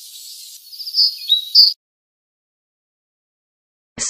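Titmouse giving a short burst of high, thin chirps and whistled notes for about a second, then silence and a brief noisy burst.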